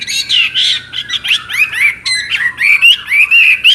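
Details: Chinese hwamei in full, continuous song: a lively stream of varied, rich whistled notes and slurred phrases, rising and falling, with quick changes of pattern and hardly any pause between motifs.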